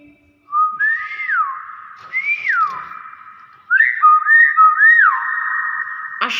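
A common hill myna gives loud, clear whistles that swoop up and down over a steady held tone, in quick runs of three or four slides.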